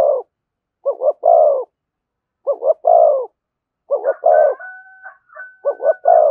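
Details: Spotted dove performing the "giọng thổ" coo with "thúc" and "kèm". Four evenly spaced phrases of two brief notes and a full mellow coo. A thin, steady, higher tone runs alongside the later phrases.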